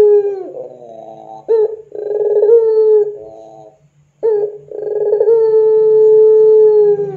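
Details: Cooing puter pelung dove for training doves: buzzy rolling notes swell into long smooth level coos, two phrases separated by a brief silence, with a faint low hum beneath.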